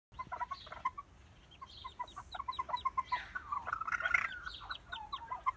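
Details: Male red-legged partridge calling his chicks with soft, rapid clucking notes, several a second, mixed with thin, higher chirps rising and falling throughout.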